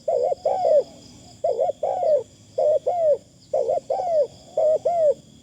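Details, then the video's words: Decoy spotted dove in thin, pleasant calling: paired mellow coos in a measured, regular pattern, with a constant faint high-pitched drone behind. "ต่อนกเขาใหญ่ เสียงดีมากคารมบางๆฟังแล้วเพลิน"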